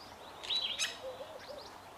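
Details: A pair of fork-tailed drongos singing together: two harsh, metallic high notes, then a few soft low whistles and faint high chirps, all within two seconds.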